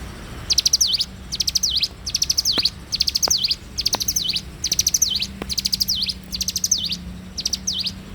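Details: Morning song of a bar-winged prinia in full voice, repeating high, thin phrases about once a second. Each is a rattle of short ticks closing with a V-shaped swoop, over a faint low hum.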